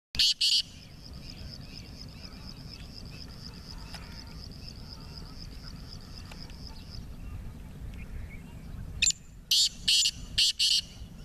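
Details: Partridge (teetar) said to give 28 calls in three minutes, kept for fighting. Two harsh, loud, scratchy bursts open the recording, then a steady high ticking trill runs for several seconds, followed by five more rasping bursts at the end over low rumbling noise.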